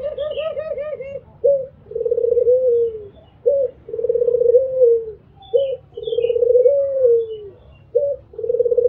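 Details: Albino Barbary dove giving its mbekur coo: a wavering rolling coo, then short clipped notes each followed by a long throaty purr that slides downward, repeated about every two seconds, with faint high chirps of other birds above.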